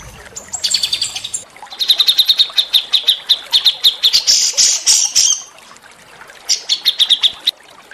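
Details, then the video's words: Small songbirds sing in a training track meant to excite white-rumped shamas: rapid series of sharp high chips and trills, with a buzzy rising phrase in the middle and another chip burst near the end. "masteran burung kecil"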